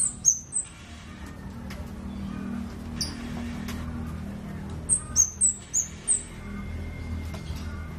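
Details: Scarlet-backed flowerpecker: two sharp high ticks, a long pause with faint clicks, then a rapid series of five piercing, thin, downslurred notes near the end.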